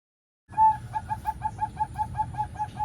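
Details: Male local zebra dove calling a female, used to lure other doves to come or sing: a steady run of short, mid-pitched cooing notes repeated several times a second, over a low background rumble.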